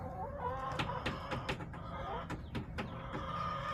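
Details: Backyard chickens recorded on March 30, 2024, hens clucking in a rapid, irregular series of short, sharp notes, several birds overlapping, with a steady low hum underneath.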